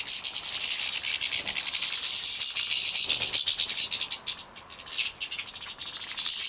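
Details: European goldfinch young, captive-bred in Poland in 2017, begging at feeding: a continuous, hissing chorus of very high, fast-trilled chirps, fading briefly near the end before picking up again.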